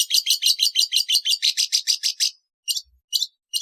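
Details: Long-tailed shrike calling in a rapid, even run of grating, rasping notes for about two seconds, followed by three spaced single rasps.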